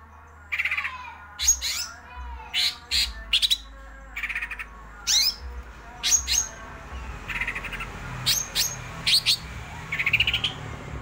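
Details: Cucak ijo singing energetically in 'ngerol' rolling style: clusters of sharp high whistles and downward slurs alternating with harsher chattering bursts, repeated in quick succession.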